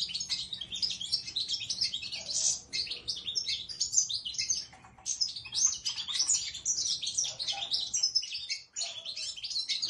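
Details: Goldfinch singing a fast, continuous twittering song of high, bright chirps and liquid trills, dense and unbroken across the whole stretch, with a faint low hum underneath.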